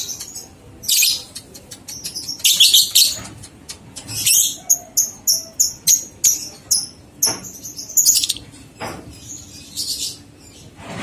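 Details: Ngekek of a lovebird, used as a master recording for two-month-old young birds: scratchy high bursts give way to a long, fast series of clipped, shrill notes, about two per second, with a few sharp squeaks at the end.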